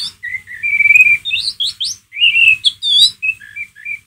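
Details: White-rumped shama, ngeriwik, a lure to provoke a pet shama's emotion: loud rich whistles, a buzzy trilled note, upward sweeps and sliding phrases, clear and close with little background.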